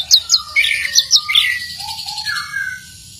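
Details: Orange-headed thrush (Geokichla citrina), song.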